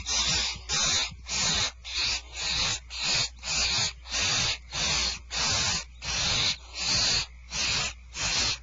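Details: Barn owls at Starr Ranch at feeding time, 2/1/12: harsh, broadband hissing bursts, each about half a second long, repeated steadily roughly every 0.6 seconds with short quiet gaps.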